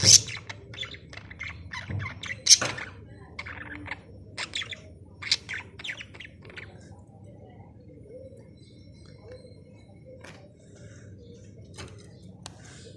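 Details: Budgerigars at play give scattered sharp chirps and clicks with a few brief high whistled notes between quieter gaps.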